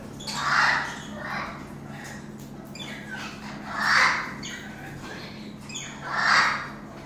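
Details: Yellow-crowned amazon parrot giving three loud, harsh squawks about two to three seconds apart, each a broad rasping burst with softer hoarse notes between, over a steady low hum.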